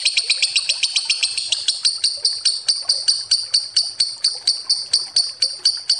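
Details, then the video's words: Lovebird long ngekek lure trill: rapid high chattering pulses that gradually slow to roughly five per second, evenly repeated and bright. "Suara Lovebird ngekek panjang pancingan ampuh"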